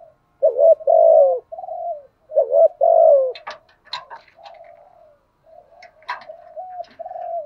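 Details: Spotted dove lure bird cooing to provoke rivals: two strong double-note and falling coo phrases, then softer coos while sharp clicks and knocks sound in the background.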